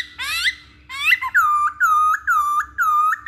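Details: Masked laughingthrush in a lure recording for training birds: two rising whistled phrases, then a run of loud, clear downslurred whistles that hook upward at the end, about five in two seconds, over a faint steady hum.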